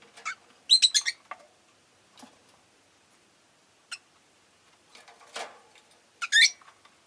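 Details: Several pet Rosy-faced lovebirds, all chirping fairly actively that day: shrill, sharp chirps in quick clusters near the start and end, with softer scattered notes between and quiet pauses.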